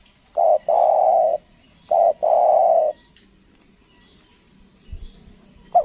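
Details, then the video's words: Spotted dove kept as a decoy bird for luring wild doves on Lombok, singing in the 'selang nguku gagap' style: two low cooing phrases, each a short wavering note followed by a longer steady coo, then quiet. "pikat tekukur selang nguku gagap"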